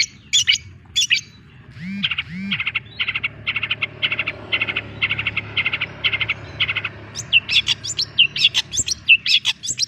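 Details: Long-tailed shrike, a young bird, singing: a few sharp notes, then a steady run of buzzy chattering pulses, then a closing cluster of sharp whistled and clicking notes.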